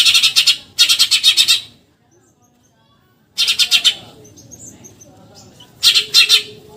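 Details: Eurasian tree sparrow chatter in the 'tembakan nyerecet' style, recorded to tutor contest birds: two rapid scratchy bursts, a silence, then shorter groups of harsh notes with faint softer sounds in the background.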